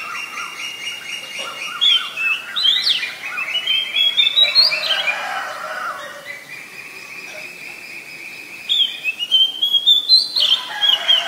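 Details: Wild Oriental magpie-robin in full song, a rich run of clear whistles, buzzy repeated notes and upward-sliding phrases, loud and varied, pausing briefly before resuming.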